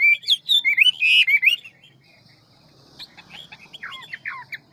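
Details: Hwamei of the ngũ trường type, quick and many-voiced in forest style: a burst of loud, looping whistled phrases, then near quiet, then softer scattered slurred notes.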